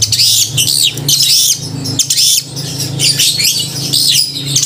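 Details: Loud, clear-voiced long-tailed shrike singing hard to provoke emotion and breeding urge in other shrikes: bursts of scratchy high chatter and whistles separated by brief gaps, with a low hum underneath.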